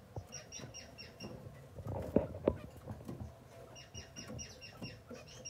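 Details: Masked grass finches calling with repeated short, clipped notes in a steady series at the start and again at the end, broken in the middle by loud knocks and rustling.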